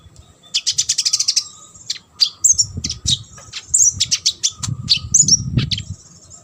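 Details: Olive-backed sunbird singing vigorously as master song for competition birds: a rapid high trill, then a varied series of sharp chips and slurred whistles, over intermittent low rumbling noise.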